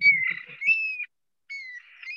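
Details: Eurasian stone-curlew in Israel in spring, a nocturnal bird that gives this call at night, giving loud, clear whistled calls, a slightly rising then falling cur-lee phrase repeated after a short pause, with faint low rustling in the background.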